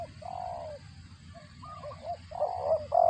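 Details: Spotted dove calling while it feeds its chicks: broad mid-pitched coos, a drawn-out hoot early on, softer broken notes in the middle, then louder paired coos at the end over low background hum.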